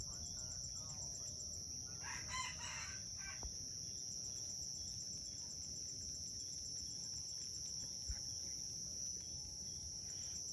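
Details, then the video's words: Red junglefowl of Aceh crowing in a contest at Bukit Sibreh, Indonesia: one short, rough crow bursts out briefly over a constant high insect drone and low background rumble. "Ayam Hutan Aceh # Perang Kokok di Bukit Sibreh"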